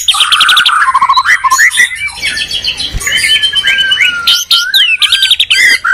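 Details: White-rumped shamas from Medan and Borneo in a singing duel, territorial birds: loud whistled slurs, buzzy chatter and quick falling notes tumbling over one another with hardly a pause.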